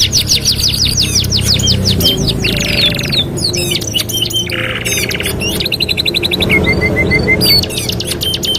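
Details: Canary master song for training other canaries, with dense overlapping phrases: quick descending sweeps, harsh buzzy rolls, sharp clicks and a short run of level whistled notes, above steady low background hum.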